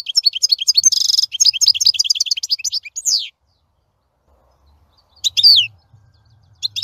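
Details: Singing European goldfinch delivering a long tinkling twitter with a brief buzzy trill, stopping for two seconds, then short bursts of twittering notes over a faint low hum.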